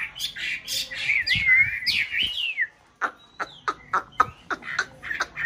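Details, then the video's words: Breeding white Chinese hwamei in a conservation aviary in a mountain town: a sweeping whistled warble that slides up and down, a brief pause, then sharp single snapping notes spaced about every third of a second. "họa mi bạch hót hay múa đẹp vào mùa xoáy tổ"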